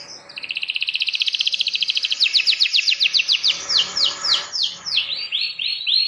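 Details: Domestic canary song for tutoring young canaries: a rapid rolling trill that gradually slows into broader down-slurred notes, several per second.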